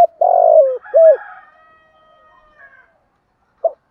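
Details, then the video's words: Part of a spotted dove lure call for trapping, thổ sấm voice: a long rolling low coo, a short coo, then a fading echo-like tail, with another coo starting at the end. "tieng chim cu gáy kích bổi nhanh nổi hiệu quả"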